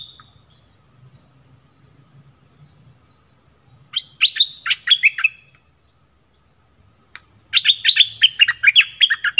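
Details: Decoy calls of a southern dok taeng red-whiskered bulbul, used to pull wild birds in fast: after a quiet start, a lively burst of crisp chirps, a pause, then a longer, denser run of bright, tumbling notes over a soft low hum.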